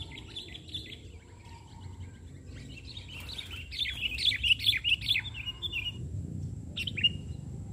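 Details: Sooty-headed bulbul in full song on the ground, not up in the branches, during bird luring; soft scattered notes give way to a quick burst of sharp, bouncing chirps, then a lone whistled note, with low rumbling noise behind.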